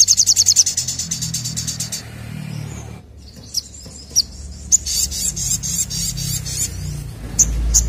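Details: Ashy drongo in loud rapid-fire song meant to prompt other birds to sing: a fast high trill fades out, a brief lull follows, then scattered sharp chips and a buzzy high stretch, with a low rumble.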